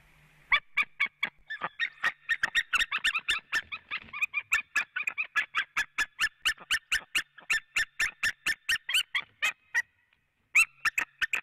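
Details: Female white-tailed eagle calling at a nest in Latvia on an evening in early March: a long, fast series of sharp yelping notes, repeated several times a second, briefly pausing before resuming.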